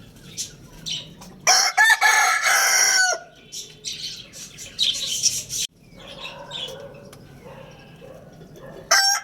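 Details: Rooster at the Lalukhet bird market crowing amid a noisy din: a loud harsh crow around the middle of the recording, with many small birds chirping and squawking and wing flapping throughout.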